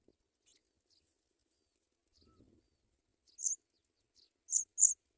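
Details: African pipit chicks in the nest as adults bring white butterflies to feed them; short, thin, high chirping bursts, scattered at first, then three louder clustered bursts near the end, with silent gaps between.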